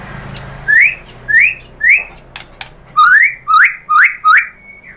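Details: White-rumped shama lure song meant to provoke other shamas into full singing. It is a series of eight sharp upslurred whistles, spaced roughly every half second, with a short level whistle at the end.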